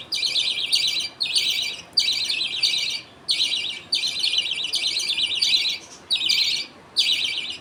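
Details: A budgerigar colony at feeding time, with the father passing millet paste to two young while others wait their turn. Steady series of scratchy, buzzing chirps in short blocks with near-regular breaks.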